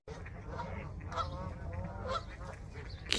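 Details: Distant geese and ducks on a winter morning at Whitby beach, after a deep freeze, give nasal, slightly wavering honks, two clearer ones about a second apart, like people talking, over a low rumble of wind and handling noise.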